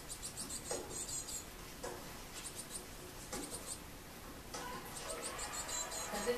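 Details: Young great tits (Parus major) repeatedly begging for food on 8 June 2018, giving rapid runs of thin, high, scratchy begging notes in short bursts, with faint talking and background noise underneath.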